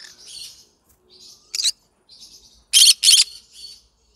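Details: Yellow-sided green-cheeked conure singing: quiet raspy chattering, one sharp screech, then a loud pair of harsh grating squawks and fading scratchy murmurs.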